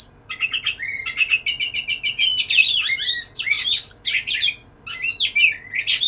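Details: Kacer, the Oriental magpie-robin, courting a female with lively song: rapid stuttering notes running into tumbling, twisting whistled phrases and harsh chips, nearly continuous with one brief gap.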